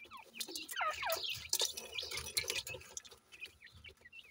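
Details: Grey francolin chicks while feeding: a busy jumble of thin chirps, quick upslurred and downslurred peeps and twittering notes from several chicks, with pecking clicks and rustling underneath.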